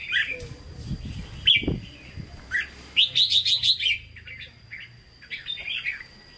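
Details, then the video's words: Caged red-whiskered bulbul with Hue-style 'hót ché' singing: short chirps, then a rapid series of six or seven bright whistled notes, with low knocking thumps early on. "Chào Mào Chuẩn Giọng Huế Hót Ché"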